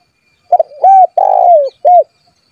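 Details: A vocal spotted dove calls rivals to make them answer. One full phrase: a clipped double note, an arched coo, a long burry coo that falls in pitch, then a final rounded coo. No other sounds.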